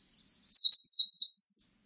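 An Eastern crowned warbler sings a single high, quick phrase of sharp chirping notes that ends in a drawn-out buzzy note. The background is quiet.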